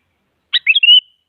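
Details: Sooty-headed bulbul phrase meant to provoke a silent rival into song: a harsh clipped onset, quick slurred whistles, then a drawn-out rising whistle, heard alone against silence.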